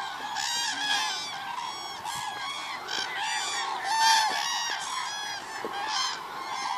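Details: Cranes massed at the Hula Lake, 30 December 2014, their bugling calls tumbling over one another in quick succession, a prominent loud call rising midway through the chorus.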